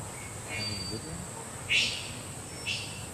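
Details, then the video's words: A three-wattled bellbird gives two sharp, ringing bursts about a second apart, with faint thin whistles between, over a steady high insect drone. "Three Wattled Bellbird atau Burung Lonceng Tiga"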